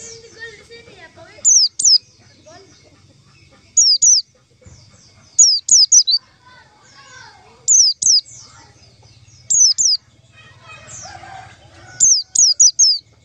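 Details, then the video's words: White-eye lure call for catching white-eyes: shrill, falling whistles delivered in quick pairs and triplets, repeated through the recording, with soft chirps, twitters and a low buzzing hum between bursts. "suara panggilan pleci untuk pancingan pleci"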